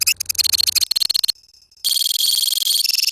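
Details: A colony of lovebirds in ngekek song: quick stuttering high chips, a short near-silent gap, then a dense, loud, rattling high-pitched trill.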